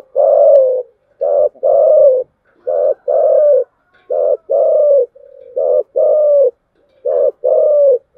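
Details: Spotted dove cooing in the thổ voice style, the chiêu gù coo: low, throaty two-part phrases, a short note then a longer falling coo, repeated steadily about every two seconds with brief gaps between.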